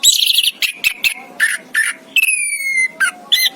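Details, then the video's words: Chirping of an orange-headed thrush, locally anis kembang: loud rich whistled phrases, harsh bursts and a long falling whistle, delivered in quick varied succession with brief pauses, faint hum beneath. "chirping of the anis kembang bird"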